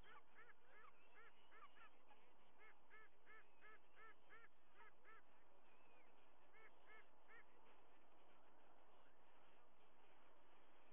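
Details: White-bellied sea eagle at its nest with two eaglets on 21 August 2022, a day of fish deliveries and feedings; a goose-like honking series of two or three nasal honks a second in bursts, over a steady low background hum.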